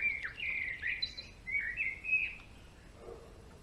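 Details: Song of a male European greenfinch: bright, level and wavering whistled phrases repeated in quick bursts for about two seconds, then near-silence with a faint low tone.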